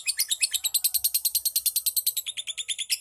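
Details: Lovebird ngekek trill used as a lure to set other birds trilling: a rapid run of bright, high, chattering notes, about three per second, sustained steadily for three seconds without a break.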